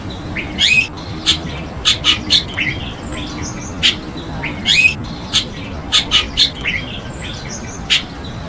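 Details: Chestnut-tailed starling, an introduced bird in Taiwan, chattering in high, clipped chirps and short buzzy squeals, grouped in rapid clusters that return every few seconds.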